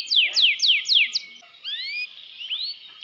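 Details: Caged canary singing, five loud descending whistled sweeps in quick succession, then softer rising whistled slurs after a brief pause.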